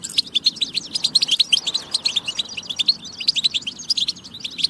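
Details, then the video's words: European goldfinch song used to spur other goldfinches to sing: a dense, fast run of bright twittering and tinkling notes with buzzy trills, high-pitched, continuous and unbroken throughout. "بتبة فتاكة لتحفيز الحسون على التغريد"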